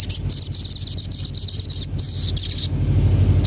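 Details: Common iora delivering quick bursts of shrill, buzzy trilled notes broken by short gaps, then falling silent near the end, with a low steady hum throughout.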